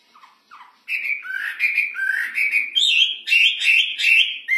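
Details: ['Hwamei song, loud and clear: two soft low notes, then a run of loud whistled phrases that slide up and down, rising toward higher, brighter notes near the end.']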